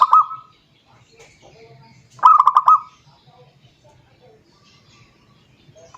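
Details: Rival-calling song of a zebra dove: one full phrase of rapid, chopped coo notes ending in a held coo, framed by fragments of neighbouring phrases, over quiet low background noise.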